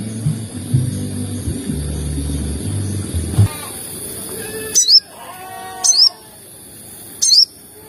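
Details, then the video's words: Sogon call played as a lure to stir other sogon birds to call: after a low humming background, three thin, sharply rising high chirps come about a second or more apart. "PANCINGAN TERBARU MERANGSANG SEMUA SOGON AGAR CEPAT BUNYI || SEKALI PUTAR CUIT CUIT SOGON EMOSI"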